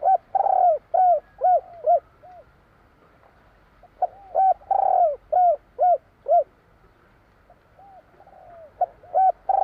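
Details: Spotted dove (tekukur jawa) singing in the 'kuk 3' style: phrases of low, hollow, arched coos repeated rapidly in runs of four to six notes, with a pause of about two seconds between phrases, against a quiet background.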